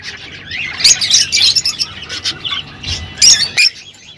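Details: Softer chatter from rosy-faced and Fischer's lovebirds singing to encourage mating: scratchy, twittering notes and a few sharp high squeaks over faint background noise, ending abruptly.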